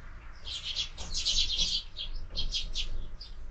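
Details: Sparrows feeding at a window feeder in the morning chatter in a busy run of sharp, high chirps, thickest mid-way, then a few spaced single notes, over faint low rumble.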